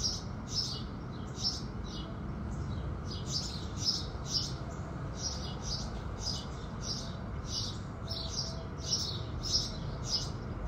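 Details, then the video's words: House sparrows singing with the rising sun, many soft, high chirps in irregular clusters across ten seconds, fairly distant, under a prominent low steady rumble. "Sparrows Singing"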